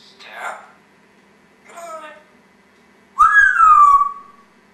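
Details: Pet African grey parrot, a Congo grey, talking and burping indoors: two short raspy speech-like phrases, then a loud clear whistle that rises and slowly falls, with a steady low hum behind.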